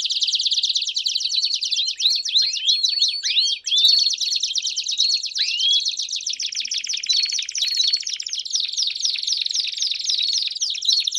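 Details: Belgian canary singing a long, unbroken song for warming up a canary: buzzy rolling trills change speed and tone several times, with scattered clear whistled slurs in between, no other sounds.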